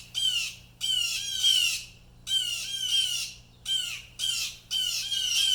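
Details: At least three Blue Jays give harsh, raspy jeering distress calls, about six in five seconds, some long and drawn out, others clipped, over a faint low hum; the owner suspects they saw or heard something, and a cardinal is nearby.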